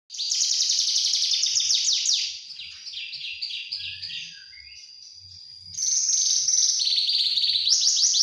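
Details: Juvenile Javan bush lark singing: dense, rapid high trilled phrases that sweep down in quick repeated strokes, a quieter stretch of thin whistles and short notes midway, then loud fast chattering trills return.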